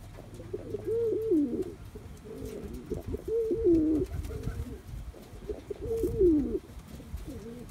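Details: Cooing of a young male Cuban Pouter pigeon perfecting his courtship dance: three throaty, bubbling phrases roughly every two and a half seconds, each swelling then dropping in pitch, over low background rumble.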